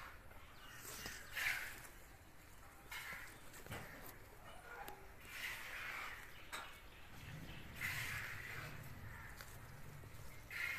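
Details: Wild bulbul chicks give harsh, raspy bursts about every two to three seconds over a steady background hiss.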